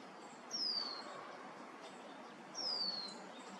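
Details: Early-arriving Allen's hummingbird giving two thin, very high notes that slide downward, spaced about two seconds apart, over a soft steady outdoor hiss.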